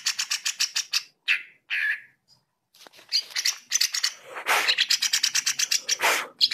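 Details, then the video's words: Greater green leafbird (cucak ijo) in full song, recorded as a reference for song tutoring, singing rapid bursts of sharp, high chattering notes, several per second, broken by brief slurred whistles and short pauses. "CUCAK IJO GACOR NGENTROK"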